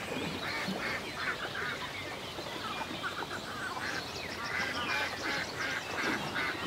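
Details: Lakeside ducks on a calm day in the country: steady series of nasal, buzzy quacks in short groups, nearly continuous through the recording, over a soft rushing ambient background.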